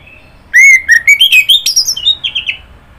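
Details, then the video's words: Orange-headed thrush singing one continuous phrase of rapid, stepping whistles that climb gradually higher and then fade in a few descending notes, lasting about two seconds. "Kicauan Burung Anis Merah"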